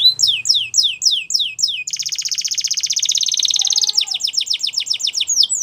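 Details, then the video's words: A canary sings a rapid series of high, descending whistled notes, then a long buzzy trill, then returns to fast repeated falling notes. "Canary Chirping Sounds"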